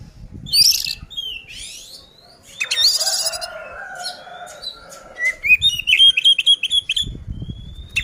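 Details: Oriental magpie-robin in combative song aimed at provoking other birds: harsh buzzy bursts and slurred whistles, then a rapid string of repeated clear whistled notes, with dull thumps in the background.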